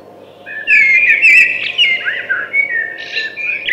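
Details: After a quiet start, a thrush launches into a continuous, warbling whistled phrase with sliding notes and brief trills.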